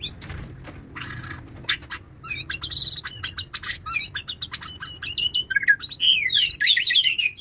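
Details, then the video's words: White-rumped shama singing: a rapid, varied run of sharp chirps, dry rattling notes and bright rising whistles that grows louder and denser toward the end, over a low background hum. "murai batu kicau"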